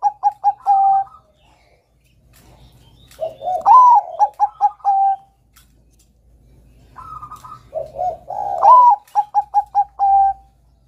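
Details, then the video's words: Bangkok-variety zebra dove singing to prompt young birds. Two full phrases, each a rising first note, a rapid string of short coos and a drawn-out last coo. Quiet low coos come before each, and a low hum sounds underneath. "PERKUTUT BANGKOK GACOR kutut Bangkok Gacor Manggung NEGEL ini PINTAR mancing bunyi Kutut Bakalan"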